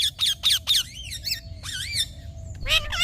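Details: Green talking parrot giving a quick run of harsh, buzzy squawks, then rising-and-falling whistled, voice-like notes with a brief pause, ending in more rasping squawks.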